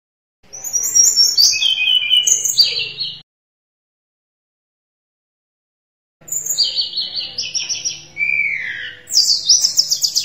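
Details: Sunda robin song in gacor style, recorded for tutoring caged birds. Two bursts of very high, thin whistled and trilled notes separated by a long silence, with fast stepping and sliding pitch changes and a faint low hum.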